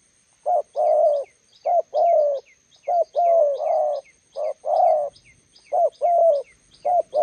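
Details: Spotted doves, a decoy bird meeting a wild one at a roadside spot in Gia Lai, Vietnam: rough, throaty coos in short-then-long pairs, about one phrase a second, with thin high chirps from small birds above.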